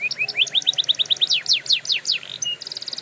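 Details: Singing canary for training: a rising series of short whistled notes that grows into quick downslurs, a brief held tone, then a rapid buzzy high trill.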